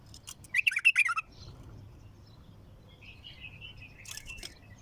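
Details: Heavy-throated, raw bulbul song: a single loud burst of about eight fast chattering notes, followed by quiet, thin twitters and a brief higher scratchy flourish near the end, over a steady low hum.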